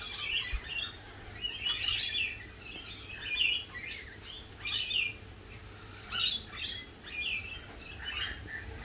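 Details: Lorikeet squawks at a cafe: a dense run of sharp, high, screechy bursts roughly every second, uneven in spacing and loudness, with low rumbling noise underneath.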